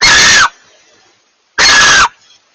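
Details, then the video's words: Two harsh, breathy screeches, each about half a second long and separated by a second's pause, from a pair of barn owls communicating. "A pair of barn owls communicate"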